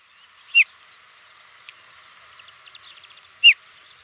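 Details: A desert lark in Morocco gives two short, bright chirps nearly three seconds apart, with faint softer chirps between them over a steady hiss.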